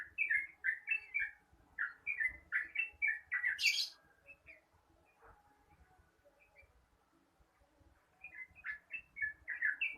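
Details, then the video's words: Long, rapid morning song of a yellow-vented bulbul: quick runs of bubbling, warbled notes, a sharp hiss-like burst, a quiet stretch of faint background noise, then the chattering phrases resume. "Suara trucukan ropel panjang di pagi hari"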